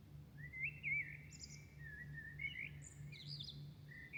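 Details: Dawn birdsong in Milan: a continuous, fluid warbling of whistled notes, with short high squeaky bursts and a final rising whistle, above a constant low droning hum.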